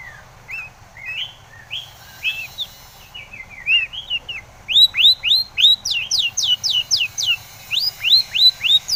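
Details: Long-tailed shrike lure song meant to make other shrikes answer: soft rising whistled notes at first, then a quickening run of loud, clear downslurred whistles repeated several times a second.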